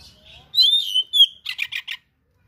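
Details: Oriental magpie-robin (kacer) in full 'gacor' singing, filled with rare learned material: soft warble, then loud slurred whistles and four quick buzzy notes at the end.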